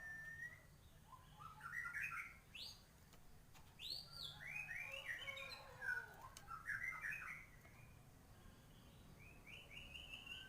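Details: Active white-rumped shama song full of filler phrases, meant to excite birds: quieter bursts of tumbling warbled notes and upward-sweeping whistles over a steady background hiss, with a low hum throughout.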